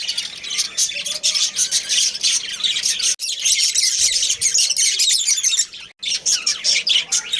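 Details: Dense high chirping and warbling from a captive budgerigar colony, a breeding family of Australian parrots, many birds calling at once, with two short breaks in the din.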